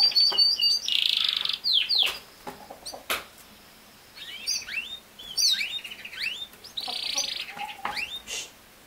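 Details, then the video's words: Canary singing, played to train a young male canary to sing: bursts of fast rolling trills and rising, upswept whistled notes, broken by short quiet pauses. "How to make a CANARY Sing fast | The BEST video for CANARY SINGING"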